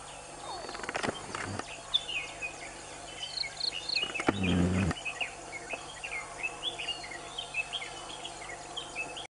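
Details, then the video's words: Ashy woodswallows, which jostle together, in thick forest at Sirsi, Karnataka, Western Ghats, India, give short, bright chirping notes, several per second, unevenly paced, with two brief rumbling bursts of wind or handling noise and a low hum. "Ashy wood-swallow"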